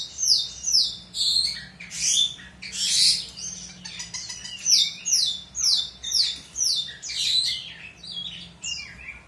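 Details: Singing long-tailed shrike recorded as a master track for teaching other birds: series of descending whistled slurs and scratchy chatter repeated in rhythmic phrases, fading to softer twitters near the end, with a faint hum beneath.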